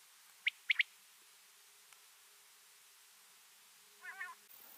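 A female common quail gives three short, sharp, high notes in quick succession, followed a few seconds later by a softer, nasal, wavering sound.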